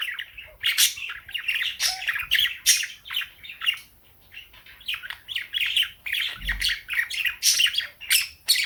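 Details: A female cockatiel kept with budgies sings in the morning while the budgies join in; dense rapid chirping and chattering in quick pulses, a brief lull near the middle, then renewed lively twittering.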